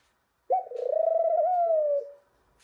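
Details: Pet ringneck dove, a young male reaching puberty, indoors: a single drawn-out, low coo with a rapid tremolo, holding a steady pitch with a slight dip midway before tapering off, in otherwise silent surroundings.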